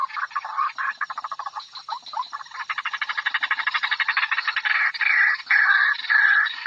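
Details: Female white-breasted waterhen call used as a lure to draw birds out for trapping: a dense run of harsh, rapid croaks, roughly 105 per minute, tightening into a fast even pulse before ending in louder rasping notes.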